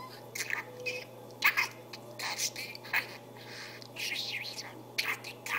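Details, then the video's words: Budgerigar kept as a pet, talking in soft, whispery, hissing syllables strung into irregular phrases, with occasional sharper clicks and a steady background hum. "Perruche Ondulée qui parle"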